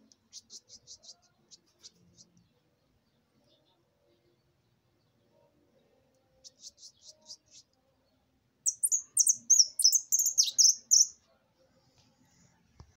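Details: Mistito delivering 'maquina' song: soft, rapid high ticking runs at first, then after a pause a loud burst of fast, slurred, very high twittering notes lasting about two seconds.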